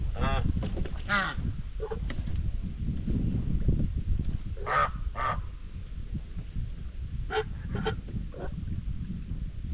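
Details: Domestic white Chinese geese grazing on a farm, chatting socially; brief nasal honks come in small clusters near the start, middle and end, separated by quieter stretches of low rumbling background noise.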